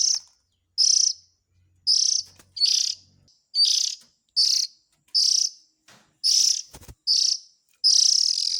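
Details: Chicks of the Oriental magpie-robin calling, used to lure adult birds. About eleven harsh, rasping bursts come quickly, some almost back to back, with a couple of soft knocks.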